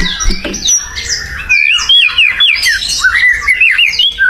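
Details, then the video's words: White-rumped shama singing energetically in the wild: a rough start, then a fluent string of bright, looping, warbled whistles that rise and fall in quick succession. "SUARA UNIT MURAI BATU GACOR DI ALAM LIAR"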